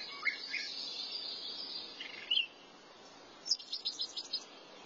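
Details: Thrasher singing: a few short slurred chirps early on, a brief bright note near the middle, then a fast series of high clipped notes after a quiet gap.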